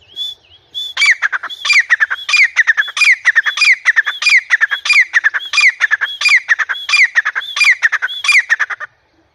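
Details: Grey francolin calling in a house: loud, harsh, ringing phrases repeated steadily about every two-thirds of a second, around twelve in a row, each opening with a clear high note and ending in a sharp falling squawk.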